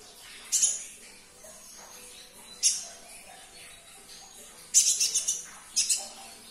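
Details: High-pitched sunbird (kolibri ninja) chirps used to stir a caged bird into singing; four separate bursts, the later ones a fast stuttering cluster of thin notes, with quiet gaps between.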